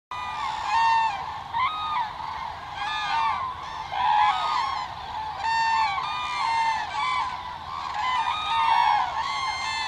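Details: Thousands of wintering common cranes (Grus grus) in the Hula Valley, Israel, December 2022, giving loud, rolling trumpet calls that overlap into a steady clamor, voices rising and falling every few seconds.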